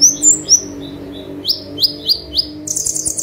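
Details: An olive-backed sunbird, called kolibri ninja, singing 'tembakan' for a master recording: two thin high whistled notes, soft short tones, then four evenly spaced sharp upsweeps and a closing buzzy trill.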